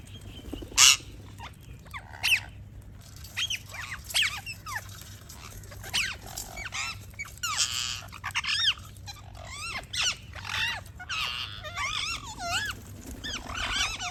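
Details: Several parrots chirping together: a busy, continuous chatter of curving whistled notes, some wavering up and down, with loud harsh squawks scattered through and a steady low hum beneath.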